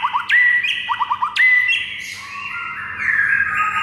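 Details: White-rumped shama (murai batu) singing in the morning as a masteran training recording for other birds: loud clear whistles held level, then quick ascending trills of short notes, a second whistle, and lower drawn-out buzzy phrases, over a faint steady hum.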